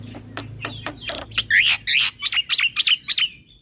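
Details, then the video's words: Black-winged starling (jalak putih) in provoking 'ngeroll' song: soft clicks give way to loud harsh rising notes repeated about three times per second. "Kicauan Jalak Nusa / Jalak Putih Full Ngeroll Manggut - MAnggut Bikin Jalak lain Emosi"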